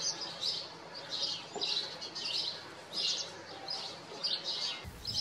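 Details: House sparrows living on a farm: repeated harsh chirps in regular bursts about every half second, over steady background hiss, ending with a low thump.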